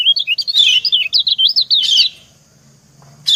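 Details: Female white-eye calling to her mate in a call exchange: a dense two-second stream of high, wavering twitters, then quiet, then one more harsh chirp.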